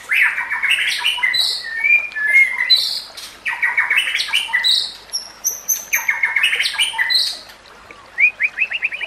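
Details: White-rumped shama song meant for training captive shamas, set with nature sounds and trickling water: loud phrases of harsh, buzzy bursts and high slurred whistles, separated by brief pauses, ending in a quick stuttering series.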